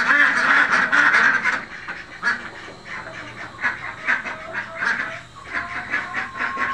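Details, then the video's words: Khaki Campbell ducks on a farm: a loud burst of overlapping quacks at first, then quieter, scattered quacks repeating irregularly, about two or three per second. "khaki campbell ducks farming"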